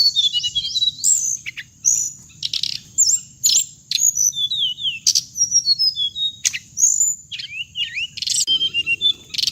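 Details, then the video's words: Trap-luring playback of the hồng hạnh bird: lively run of sharp chirps, rising and falling whistled slurs and short buzzes, packed closely for nine seconds, with a steady shrill tone and low rumble underneath. "tiếng chim hồng hạnh âm thanh để bẫy loa"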